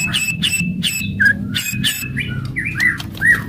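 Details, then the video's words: Aggressive white-rumped shama song used to stimulate other shamas: a series of clicking strokes with a thin steady whistle, then several rich rising and falling whistled notes. "KRETEKAN KERAS & TEMBAKAN MURAI BATU FASTOL.//, ASLI SUKSES MERANGSANG EMOSI"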